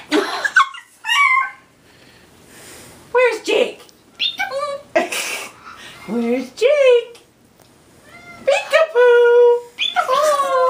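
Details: Pet Moluccan cockatoo playing peekaboo indoors, mimicking human words like hello and goodbye in squeaky, nasal bursts with wavering pitch, alternating with a person talking to it in a small room.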